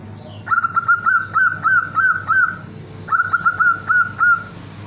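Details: Female zebra dove calling to a male: two bursts of rapid, stuttering high coo notes, each a quick series of short upslurred whistles, with a pause between, over a constant low hum and background noise.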